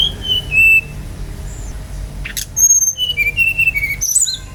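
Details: Brown-chested jungle flycatcher lure song from Bali: clear whistled notes stepping downward, a pause, a short noisy rasp, then a second series of falling whistles ending in higher sharp notes, over a low background hum.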